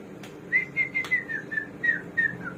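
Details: Hwamei, known locally as samyong or garuwa and called a bird of 1001 voices, sings a row of about eight clear whistled notes, evenly spaced and slightly falling in pitch, over a low steady background hum.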